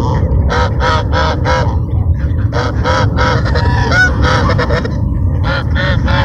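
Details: Ducks being fed at Sunset Park give nasal, honking quacks in quick runs of three or four, several birds overlapping, over a steady low rumble of wind or traffic.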